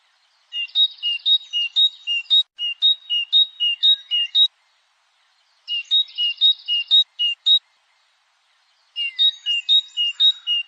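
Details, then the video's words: European goldfinch song in the 'batbata' style: three phrases of crisp, high two-note alternations repeated about twice a second, each led by a brief buzzy rattle, with clean silence between phrases. "طائر_الحسون.بتبتة خرافية وأصوات تجنن طيورك."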